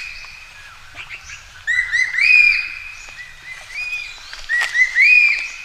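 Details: Whistled courtship calling of a common green magpie seeking a mate: two bouts of bright, slurred rising notes followed by a held whistle, with faint softer bird calls in the background.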